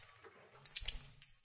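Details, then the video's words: Lovebirds kept as pets, calling during play: very high, thin whistled notes in a quick stuttering series, then one more sustained whistle after a brief gap. "1 Hour Lovebird Sounds"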